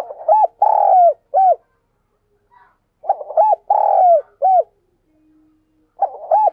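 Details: Spotted dove kept as a decoy bird, singing a 'thúc' call to stir wild doves: phrases of short coos around one long, falling coo, repeated about every three seconds with quiet gaps between.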